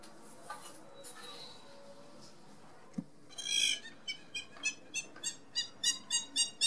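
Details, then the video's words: Hamerkop laughing call: a loud burst, then a steady series of sharp, high, nasal yelping notes repeated about three times per second, growing louder toward the end. "The Crazy Laughing sound of the Hammerkopf bird"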